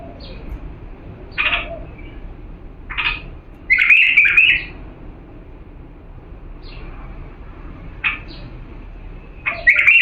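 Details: Authentic bulbul from Diyala singing for young birds to learn from; short separate chirps recur every second or two, broken by a couple of quick rolling warbled phrases, over a low background hum.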